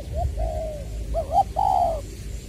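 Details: Spotted dove used as a decoy, Long Đức, Trà Vinh, Vietnam, 22 February 2021, in the "giọng tiểu" voice: a short note and long soft coo, then a brisk double note sliding into a strong sustained coo.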